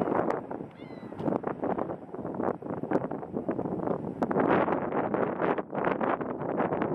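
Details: A huge flock of around 10,000 tundra swans at Grand Bend, Ontario, on a cold, windy day makes a dense, continuous chorus of mellow, high hoots and yelps, many voices overlapping without pause.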